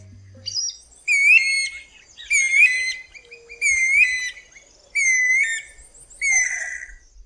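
A Guira Cuckoo gives loud, ringing whistled phrases repeated about once a second.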